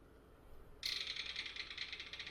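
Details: Belted kingfisher, a fish- and aquatic-insect-eating bird, played from a bird-ID app: a loud, harsh, dry rattle of rapid clicking pulses, following a brief quiet hiss.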